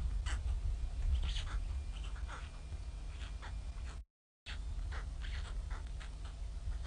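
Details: Hungry White stork chicks in Ustroń, 15–16 May 2019, begging while their mother has been gone since 6 a.m. in bad weather; short hoarse mewing calls come in quick irregular bursts over a constant low rumble, with a brief dropout midway.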